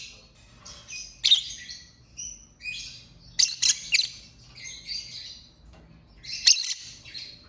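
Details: Pet lovebird chattering: a busy run of short, high, scratchy chirps and squeaks, some loud sharp spikes, others softer twitters, coming in quick irregular bursts throughout, over a faint low hum.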